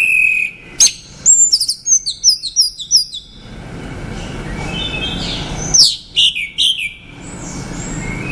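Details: Orange-headed thrush, a male, delivering a run of clear, high, down-slurred whistles in rapid succession, then a pause before another bright burst of varied whistled notes.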